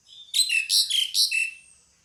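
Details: Close, loud pied myna call: three or four harsh, buzzy, chattering notes run together over about a second, each with a squeaky falling whistle, then fading out.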